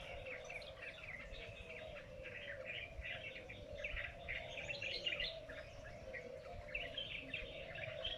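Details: Strange bird in a lychee orchard at noon, giving a continuous run of rapid chirps and twittering notes, with a constant low droning hum underneath.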